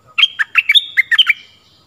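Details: Stripe-throated bulbul song used as a lure for wild birds and to teach young birds: a quick bubbly phrase of about eight short, clear notes jumping between low and high pitches, with a thin sustained tone underneath.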